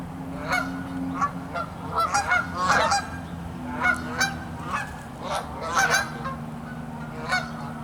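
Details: Cold Canada geese on a freezing pond with the last open water; clusters of loud, nasal honks from several birds, with brief pauses between bursts and a faint low drone underneath.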